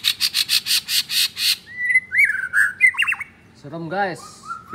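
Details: Caged, captive-bred fourth-generation (F4) blorok white-rumped shama in Jakarta, Indonesia, singing in the 'materi kasar' (rough material) style: a rapid series of harsh buzzy bursts, then varied whistled notes and a quick warbled trill, a low arched sound, and a final rising whistle.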